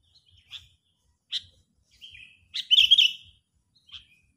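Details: Agitated sooty-headed bulbul used as a bird-trapping lure: scattered single sharp chips spaced about a second apart, then a loud, harsh chattering burst and one last chip.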